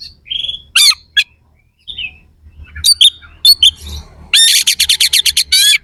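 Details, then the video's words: Oriental magpie-robin delivering harsh "isian kasar" song to make rival kacer more aggressive in contests: scattered squeaks and rasps build into a fast, loud series of grating staccato notes. "Suara kacer gacor NEMBAK ISIAN KASAR/Bikin semua KACER jadi EMOSI"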